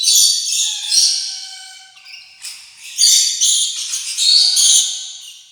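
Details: Rainbow lorikeet chattering: harsh, broadband screeches and squawks in overlapping bursts, with thin whistled tones below, rising and falling in loudness through the clip.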